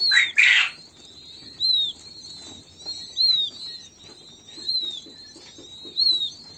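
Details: Young king quail give clear, high, down-slurred whistles about every second, with fainter peeps in between; a loud rustling burst opens the recording.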